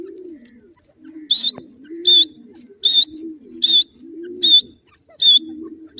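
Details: Grey partridge in breeding season, spring: loud harsh high calls repeated about every 0.8 seconds in short bursts, over a steady background of low dove-like cooing.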